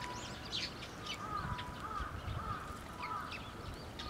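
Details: Young Eurasian tree sparrows gather in a plum tree at a Tenmangu shrine on 26 May 2024 to be fed. They give scattered sharp, high chirps in quick irregular bursts over a steady low humming tone and background noise.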